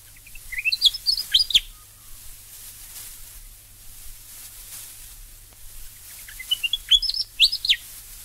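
A Willie Wagtail gives two bursts of sweet, bright chattering whistles, rising and falling phrases repeated quickly, with a quiet pause between them.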